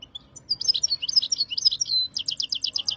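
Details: European goldfinch from Jijel, Algeria, singing in the khalwi style in 2023: a fast, tinkling twitter of high bright notes, then a run of about seven quick evenly spaced buzzy trills.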